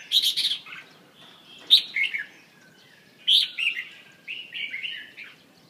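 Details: Red-whiskered bulbul (chào mào) delivering lively, slurred, whistled phrases with quick up-and-down notes in bursts, followed by a softer trailing warble.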